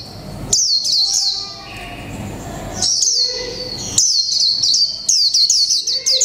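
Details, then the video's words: Mộc tinh white-eye kept one month in a cage, giving líu pha chòe trống song: shrill sweeping notes in four separate bursts, each a quick run of high slurred chirps, with faint low rumble beneath. "chim khuyên mộc tinh 1 tháng lồng '' LÍU PHA CHÒE TRỐNG '' cực hay"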